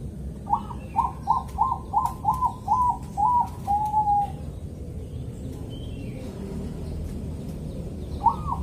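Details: Bangkok zebra dove, East Java, Kediri, calm-rhythm morning song meant to get other zebra doves singing: a rapid string of about seven springy coos closing on a long note, then quiet, with a new phrase starting at the end.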